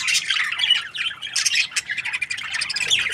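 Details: Australian budgie breeding pair, described as happy, chattering nonstop with fast, squeaky, warbled chirps and scratchy notes throughout.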